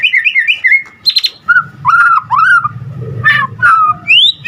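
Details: White-rumped shama in full, energetic song: wavering whistled warbles, a buzzy high burst, then rich looping whistles and a rising final whistle, over a faint low hum.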